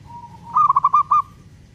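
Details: Local zebra dove, long-beat lure song for prompting other doves to sing: a soft lead-in coo, then five or six rapid, bouncing notes in a short burst. Low background hum.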